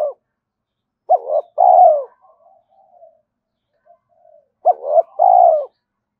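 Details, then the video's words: Decoy spotted dove cooing to call other doves in: two low phrases, each a quick hooked double note followed by a drawn-out, slightly descending coo, separated by a few seconds of near silence with faint soft notes. "tiếng cu gáy mồi gáy gọi và thúc bổi nhanh về cội hiệu quả"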